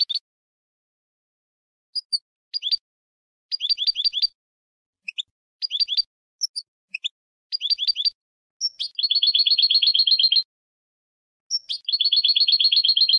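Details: Goldfinch song: short high twittering phrases separated by pauses, then two long rapid trills of repeated doubled notes, each lasting over a second, with clean silence between.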